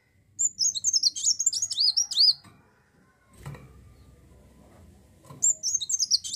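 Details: Olive-backed sunbird song meant to lure other birds into singing: a two-second cascade of high, slurred and looping whistles, a pause with a low knock, then the rapid high phrase starts again.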